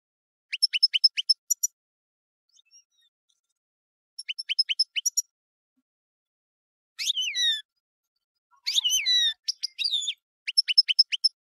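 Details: European goldfinch song: quick clusters of sharp, ticking notes in short bursts, with strident, slurred downward phrases in the middle and a last run of rapid ticks. Silent gaps separate the phrases, and no other sounds are heard.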